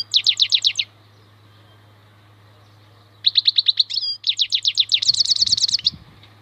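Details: Wild European goldfinch giving bursts of fast, sharp, repeated notes, a pause, then a long run of tinkling trills; steady low hum and faint low rumbles behind.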